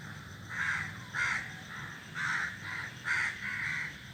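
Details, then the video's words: From a flock of crows sitting in a tree, six loud, harsh caws come in pairs and short runs about half a second apart, clear above faint background noise. "crows sitting in the group are making noises are sitting on the tree"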